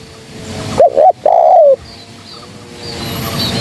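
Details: Single spotted dove phrase used as a trapping lure: two short clipped coos then a longer descending coo, followed by quiet background noise.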